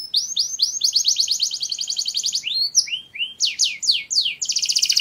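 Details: Canary singing, a song used for stimulating mating: a long fast trill of rising notes, a few sharp upswept whistles with pauses, then a final rapid high rattle.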